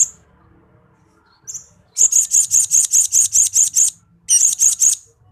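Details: Shrill, very high repeated notes from a blue-crowned hanging parrot (srindit), used to train pet birds: a steady run of about ten evenly spaced chips, a short pause, then four more.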